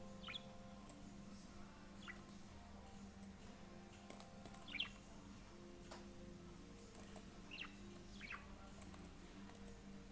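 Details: A pet budgerigar (Melopsittacus undulatus) enjoying finger attention gives soft, short chirps now and then over a steady electrical hum.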